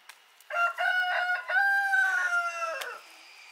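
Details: Rooster kept with hens in a Ukrainian garden at the end of summer, giving one full crow of about two and a half seconds, harsh and stepped at first, then a long held note sliding down at the end.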